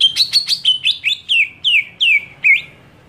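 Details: Greater green leafbird screaming to provoke other leafbirds: a rapid series of about eight sharp, high notes, the first few clipped and the later ones slurring downward, repeated roughly every third of a second.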